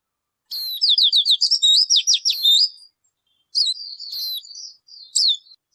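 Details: Bird vocalizing with two bursts of high, rapid chirps: a busy run of sweeping, slurred notes for about two seconds, a short pause, then a second, looser phrase of buzzy twitters. No other sounds.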